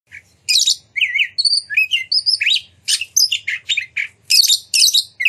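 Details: Oriental magpie-robin in lively full song used to provoke other magpie-robins to sing and spread their tails: varied loud whistles, sharp chirps and buzzy notes in quick bursts, many phrases rising and falling, a faint low hum beneath.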